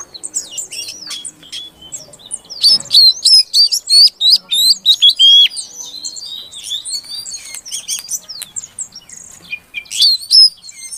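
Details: A female Oriental magpie-robin calls to prompt a silent male to sing: fast high chirps and whistles, a burst of loud clipped rising notes early on, then varied twittering and a final strong phrase.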